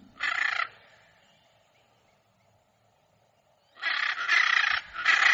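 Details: Hyacinth macaw giving loud, harsh, grating squawks: one short burst near the start, then after a long silence a run of three raw screeches close together.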